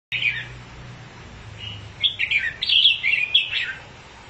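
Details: Red-whiskered bulbul, said to spread its wings whenever it sings: a short high chirp, then a pause, then a run of quick warbled, bubbly notes near the end, over a low steady hum.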